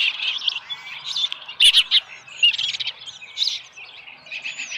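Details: Osprey at a ranch nest with a small live fish, 13 July 2018 around 7:10 AM. Clusters of high piping chirps, several louder notes near the middle, then softer calls trailing off.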